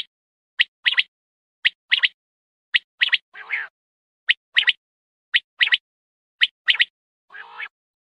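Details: Quail giving sharp, high three-note phrases, one note then a quick pair, about once a second, with two lower, rasping bursts in between; presented as a night-hunting quail sound.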